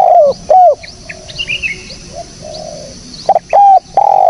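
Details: Spotted dove calls for luring birds: loud low coos with falling ends, a quieter middle with distant cooing and thin chirps of small birds, then loud coos again.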